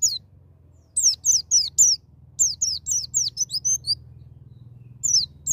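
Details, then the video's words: Wild-style white-eye song used to provoke a young bird into singing: bursts of thin, high descending whistled notes in quick runs, with pauses between phrases and a low steady hum beneath. "BURUNG PLECI NGALAS NEMBAK,MEMICU PLECI BAHAN CEPAT NGALAS BUKA PARUH"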